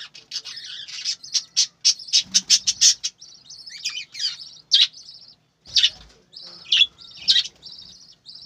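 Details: Farmed budgerigars chatter steadily, starting with a fast string of bright, clipped chirps, then softer warbling with scattered louder squeaks and a short thud.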